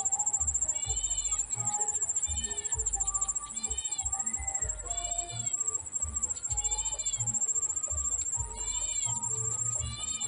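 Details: Hungry Bar-winged prinia chicks begging while their mother is slow to feed them: arched, harmonic-rich calls repeated about every second and a half, over a continuous high insect trill and low thumping noises.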